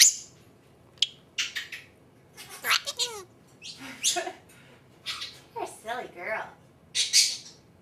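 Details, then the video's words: Captive female Senegal parrot mimicking its name indoors, giving a busy run of squawks, clicks and harmonic, speech-like wavering phrases, ending in a bright high squeal. "Senegal parrot talking"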